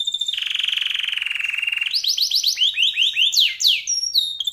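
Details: Long-winded canary song for tutoring other songbirds: a steady, fast vibrating roll lasting nearly two seconds, then a burst of quick upward-sweeping whistles and a few sharp descending slurs.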